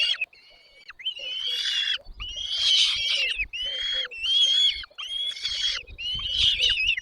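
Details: Chicks in a nest begging as parent birds bring food: a chorus of harsh, rasping calls with thin whistled tones, in bursts roughly every second, some overlapping.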